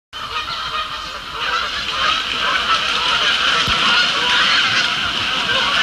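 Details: Canada geese, including a banded one, taking off en masse from the Feeder Garden shore at Sapsucker Woods Pond, Ithaca, New York, evening: a dense, steady chorus of overlapping nasal honks that swells slightly louder over a few seconds.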